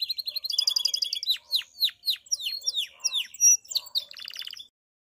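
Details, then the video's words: Campainha song of a pied Belgian canary, meant to get other canaries singing and females into condition: quick trills lead into deep downward-swept notes, a pure whistled note, then a brief buzzy rattle before silence. "Canário Belga canto CAMPAINHA (sing bell belgian canary)"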